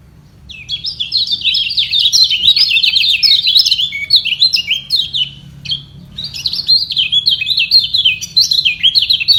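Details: Kecial kuning white-eyes in a singing battle, birds below contesting to hold the top position, neither yielding: rapid, continuous high twittering of sharp chirps and short slurred notes, running almost without pause, with a brief dip midway and a faint low hum.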